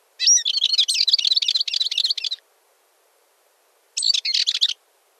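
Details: A Balearic warbler (Sylvia balearica) sings a fast, scratchy, high-pitched warbling phrase of about two seconds, then a shorter burst after a pause; nothing else is heard.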